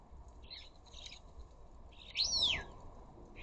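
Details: Ring-necked parakeet at a garden bird feeder visited by flocks of up to a dozen: a few soft rasps, then one loud arched screech rising and falling, followed by another faint rasp.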